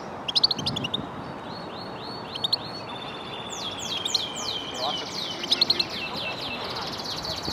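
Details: European goldfinch kept in a custom wooden cage, recorded for singing training: bright, high twittering phrases of quick chips, slurred notes and short trills, with a few sharper accented notes and a steady low hiss underneath.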